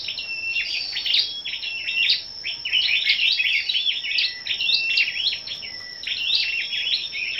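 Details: Morning song duel among gathered scarlet-backed flowerpeckers, 10 May: almost unbroken chattering of high, metallic ticks and clipped whistled notes in quick runs, with a faint continuous high hum underneath.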